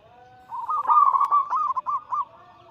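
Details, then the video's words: A single drawn-out phrase of zebra dove anggungan song, used to trigger singing: a flowing, bubbling coo that breaks into a few separate clipped notes at the end, over quiet background. "Masteran Pancingan harian burung perkutut Anggungan paling ampuh langsung emosi gacor"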